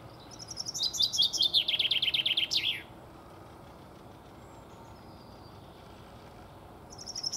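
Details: A male common chaffinch (Fringilla coelebs) sings a bright, accelerating rattle of descending notes ending in a flourish, about two seconds long, then starts again after a pause.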